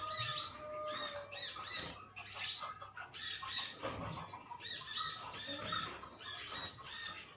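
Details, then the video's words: A colony of green metallic sunbirds chirping at one another: dense, overlapping high twittering notes and short squeaky chips, with irregular bursts about once per second and several birds calling together. "Koloni burung konin metalik ijoan saling adu nyrecet"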